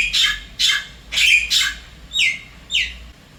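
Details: Wild Javan myna visiting an apartment in Singapore, calling its mate: harsh, broadband squawking notes in pairs, then two clearer descending whistled slurs.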